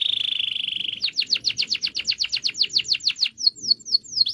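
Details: Singing canary meant to trigger quiet canaries into song: a steady buzzy trill opens, followed by a long rhythmic series of sharp descending notes, quickening toward the end, with soft low background noise.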